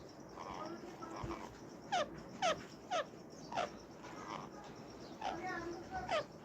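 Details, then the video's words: Indian ringneck parakeet giving a mating call: short, sharp descending notes repeated about twice a second in uneven bursts, with a faint background hiss. "Ring neck parrot mating call"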